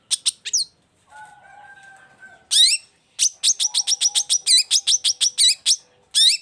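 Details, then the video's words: Long-tailed shrike giving lively song: a few sharp chirps, a soft steady tone, then a rapid regular series of bright, falling whistled notes about four per second. "CENDET GACOR"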